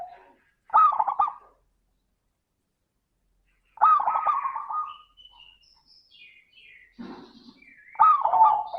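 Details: Local zebra dove giving a crystal-voiced lure song to draw other doves into singing: short stuttered coo bursts with long silences, while faint high chirps and whistles from other birds are heard in between.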